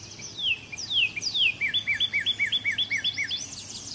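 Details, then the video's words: Song of a Northern cardinal: a few sliding whistles falling in pitch open the phrase, then a steady string of about a dozen brief rising chirps, a thin higher warble faint behind. "Northern Cardinal Calling or Voice"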